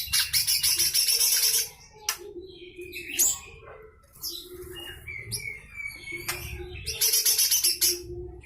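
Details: Rough 'besetan' song of a lesser green leafbird, used as tutor song for other songbirds: opens with a harsh rapid buzzing rattle, then varied whistles and slurred notes, and a second grating pulsed burst near the end.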